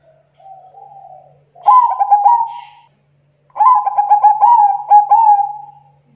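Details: Local zebra dove (perkutut) singing as a trapping lure: a quiet low coo, then two loud phrases of rapid stuttering notes that merge into a long level whistled coo.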